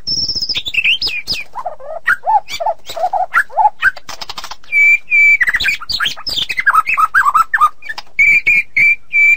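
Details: White-rumped shama song meant for tutoring songbirds: varied rich phrases with high thin descending whistles, low mellow warbled notes, sharp chips, and steady pure whistled notes repeated near the end.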